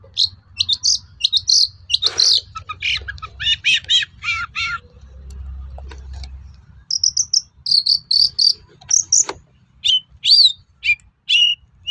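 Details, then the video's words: Long-tailed shrike (cendet) song used as a lure to provoke other shrikes to reply: rapid bursts of harsh, buzzy and whistled notes, varied and mimicking, with short pauses and a low hum beneath. "SUARA PANCINGAN BURUNG CENDET AGAR MAU NYAUT GACOR"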